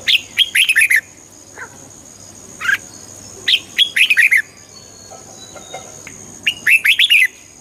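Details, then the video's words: A red-whiskered bulbul sings, recorded to make birds lively: brisk, jaunty phrases of several bright whistled notes, repeated about every three seconds, with a faint high hum throughout. "เสียงนกกรงหัวจุก ชัด 100% เปิดต่อ ให้นกคึก"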